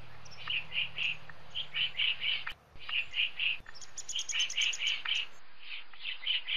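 A woodpecker gives sharp, high chirping notes, mostly in quick bursts of two or three, repeated through the clip over a faint low hum.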